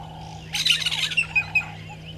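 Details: Violet-backed starling pair at a nesting tree by Gowrie dam, Djuma Game Reserve, Sabi Sand, South Africa, at 05:48 on 13 December 2022, fixed camera: a loud harsh buzzy burst, then sharp squeaky chirps, over a low steady hum and distant birds.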